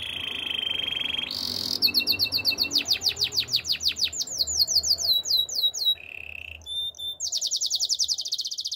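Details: Waterslager canary training song: a steady whistled tone, then a bright high note followed by fast rolling tours of falling chirps repeated several times a second, a brief lower buzzy trill, and a final rapid high rattle.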